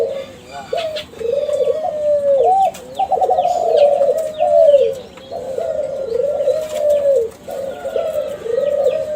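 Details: Captive young Kelantan spotted dove of champion contest stock singing a lure to draw calls from other doves: a steady run of low wavering coos with rolling stutters, continuing for several seconds, light high chirping behind.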